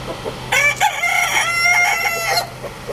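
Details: Big rooster kept with its family, crowing once: a harsh, strongly harmonic call of about two seconds, opening with a short note, then a long held, slightly wavering tone that ends abruptly; low steady hum underneath.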